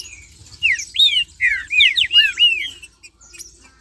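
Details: Green-winged saltator in marcheando song, played to fire up other saltators: a dense two-second phrase of about eight loud, ringing arched whistles, rising then falling, ending abruptly into quiet.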